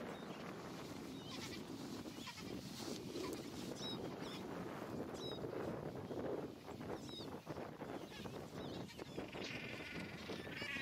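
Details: Gentoo penguins calling in a colony on Carcass Island, Falkland Islands, on 21 January 2019; a dense, continuous chorus of harsh braying voices overlapping throughout, with thin high squeaks and a steady rushing background.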